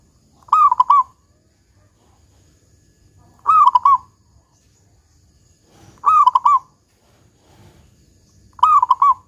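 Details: A lively local zebra dove with a big 'kung' voice, used as a lure to get other zebra doves singing, gives four short, rolling, staccato coo phrases, repeating roughly every two and a half to three seconds against a faint low hum.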